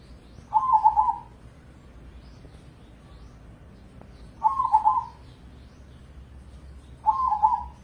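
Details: Indonesian crossing zebra dove, a caged contest bird, repeating its song. Three trilled, gurgling coo phrases are spaced about three to four seconds apart, each with a clear, ringing tone over low background noise.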